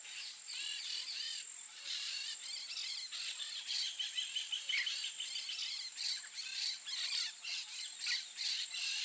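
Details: Peach-fronted parakeets giving a continuous stream of harsh, scratchy high chattering calls, overlapping and repeated rapidly, with a steady high insect-like whine in the background.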